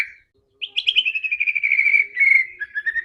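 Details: Aggressive white-rumped shama phrase used to goad rival shamas: a brief whistle, a pause, then a rapid pulsed trill that drifts slowly downward before a lower closing note.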